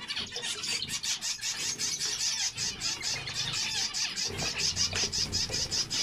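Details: Zebra finch song: dense, continuous nasal buzzy and chattering notes packed high in pitch, many birds overlapping, with low rumbling background noise throughout.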